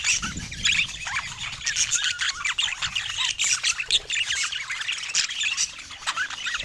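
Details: Busy chatter from a group of pet budgerigars, full of quick squawks, upward-sliding chirps and twittering notes packed closely together.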